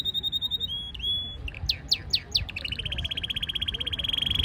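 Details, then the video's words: Under the wisteria trellis of Nara Park, Japan, a canary sings a fast trill, a dipping whistle, four bright descending sweeps, then a rapid buzzy trill that grows steadily louder. "Singing voice of 🐤Canary"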